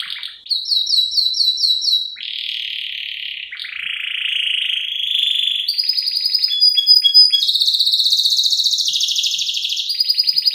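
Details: Canary, a vigorous singer, with filler song style phrases on a lure and tutor recording: repeated slurred notes lead into changing rolled trills and rattles that shift up and down in pitch, with no pause between phrases.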